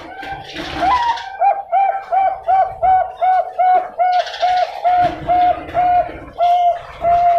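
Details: Bangkok-type zebra dove bred in captivity in Pasuruan, East Java, Indonesia, hatched June 2022, valued for deep tone and rhythm: a brief rising note, then a steady run of about sixteen low, rounded coos, with some rustling noise.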